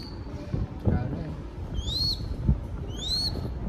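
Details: Crested goshawk chick in Cambodia being hand-fed by falconers. Two drawn-out, rising whistled squeals come about a second apart, with low voices and handling noise in the background.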